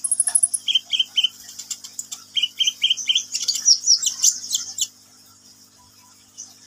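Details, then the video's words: Energetic sunbird song opening with rapid high twitters, then paired series of three slurred whistles, ending in a dense jumble of sharp chirps before falling quiet. "KICAUAN BURUNG KOLIBRI NINJA GACOR"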